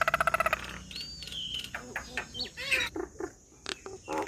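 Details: Nias hill myna: a rapid burst of ringing notes, then a level whistle, scattered chuckling notes and nasal calls over steady background hiss.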